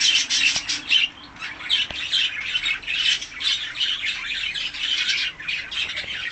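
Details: Hand-tame budgerigar, a colour mutation, chattering during a feeding and play session; blurred scratchy warbling notes run together almost without pause, with a few faint clicks.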